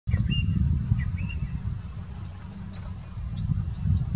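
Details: Long-tailed shrike mimicking a purple sunbird in India: a few thin, high whistles, then a run of quick, very high ticking chips over a steady low rumble.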